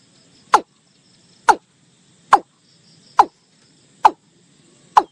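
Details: Watercock call used in bird hunting as a lure. Six abrupt, hollow, descending knock-like notes come roughly once a second in a slightly irregular rhythm over a low hiss.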